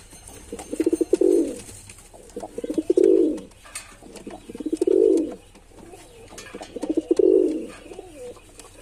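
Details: Four rounds of male pigeon cooing, each opening with quick throbbing pulses that merge into a full, rolling low coo, spaced roughly two seconds apart in a small room.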